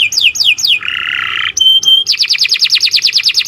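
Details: Canary song for training other songbirds: repeated descending whistled slurs, then a buzzy rattling phrase, two sharp clipped notes, and a long run of fast, rhythmic downslurred trill notes.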